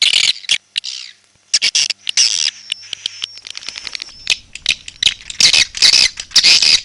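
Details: Edible-nest swiftlet, red-nest type: clicks and brief chirps, a thin steady whistled tone in the middle, then loud dense shrill twittering bursts toward the end.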